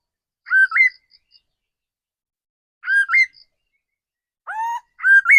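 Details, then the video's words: Seasoned decoy laughingthrush, a caged bird, sings clear whistled phrases. Each is a quick rising hook in two or three linked notes, repeated about every two and a half seconds, with one lower swooping whistle near the end. "Tiếng chim khứu mồi già rừng"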